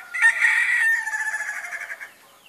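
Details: Ayam ketawa rooster giving one long crow, a strained, harmonic-rich call held about two seconds that breaks into quick wavering pulses before fading.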